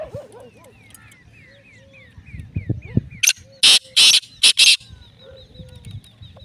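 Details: Black francolin of the Lakka strain calling: a series of loud, harsh, grating bursts in the middle, set among repeated thin whistled notes of other small birds and low background rumble.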